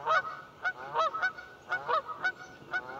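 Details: Several Canada geese at Buzzard Roost Creek, Alabama, honk in a loud, nasal, overlapping chorus, one harsh call roughly every half second.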